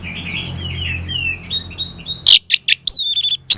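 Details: Soft, quiet warbling gives way to a loud burst of orange-headed thrush song: sharp high notes and clear ringing whistles.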